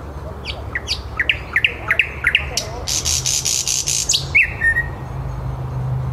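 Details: City thrush nightingale in Käpylä, Helsinki, at 21:30. Scattered chipping notes build into a harsh buzzing rattle, then end on a clear whistled note over a low background hum.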